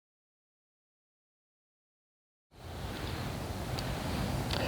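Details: Two and a half seconds of silence give way to a steady wind-like rumble and broadband hiss, with no animal calls.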